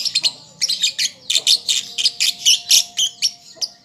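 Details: Young lovebird still learning to sing, caged pet: rapid run of harsh, buzzy high chirps, about two per second, in an uneven chattering stream with a faint low hum beneath.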